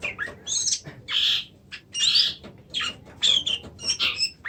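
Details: Singing Oriental magpie-robin: dense, loud scratchy bursts alternating with sweet whistled slurs, phrases roughly half a second long delivered in quick succession.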